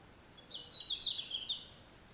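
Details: Red-flanked bluetail singing on a mossy mountain walk at Kurokawa Keikanzan in July 2023; one short clear warbled phrase, high and wavering, against quiet forest background.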